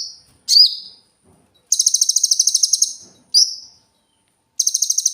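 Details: Cililin singing, a clear song used for training cage birds: very high, thin, rapidly pulsed trills lasting about a second, alternating with short sharp whistled notes, with silences between.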